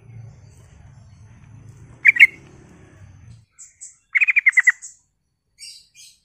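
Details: Lure recording of a sooty-headed bulbul singing to draw a response from other bulbuls: two clipped notes, then a rapid run of about six bouncing notes, with thin high twitters before and after and a low hum at first.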